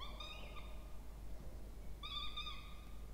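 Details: Peregrine falcon chicks, two in a nest box inside a university water tower in Orange, New South Wales, Australia, during feeding on 20 October 2024; two nasal, wavering whines separated by a pause, low background hum.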